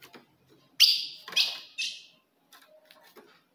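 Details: Short burst from a female ultramarine grosbeak used to provoke a male: three bright chips, each sliding down in pitch, then quiet faint rustles.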